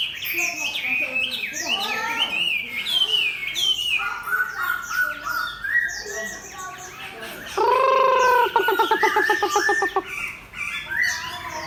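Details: Caged competition Chinese hwamei, tail fanned open, placed beside a fighting bird, pours out varied fluted whistles and slurred phrases, then breaks into a loud, fast series of harsh repeated notes before whistling again.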